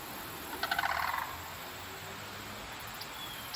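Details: A pair of Sandhill Cranes calling loudly near London, Ontario, Canada, on the afternoon of October 6, 2024: one short, rolling, pulsed trumpeting burst of about half a second, slightly falling, then steady background hiss.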